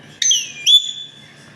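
An Alexandrine parakeet gives two clear, whistled, speech-like notes: a falling one, then a rising note that holds steady.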